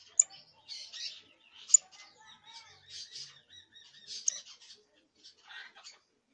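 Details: Young canary trying out its first trills and songs, a halting series of scratchy buzzy notes and short warbles with sharp high ticks, about one phrase every second or so.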